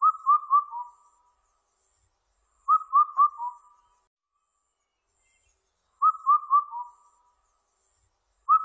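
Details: Indian cuckoo, recorded in 2020, singing its mellow four-note whistled phrase, the last note dropping lower, repeated about every three seconds; faint high insect hiss behind.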